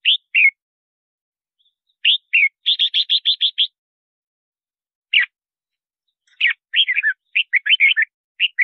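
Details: Red-whiskered bulbul song for calling wild birds to traps and training voices: warbled whistled notes, a fast even run of about seven clipped notes, then more tumbling, chattering phrases.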